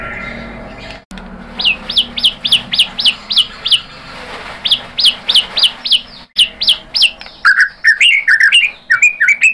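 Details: White-rumped shama song played to entice other shamas to sing: long run of repeated upslurred high chips, steady and rhythmic, interrupted by brief cuts, ending in a burst of lower, jumbled warbling phrases.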